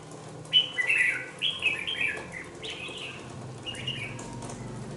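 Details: Young red-whiskered bulbul aged two months, in a cage, sings a run of four or five short bubbling phrases. Each phrase holds slurred whistles that step down in pitch. Quieter notes trail off at the end.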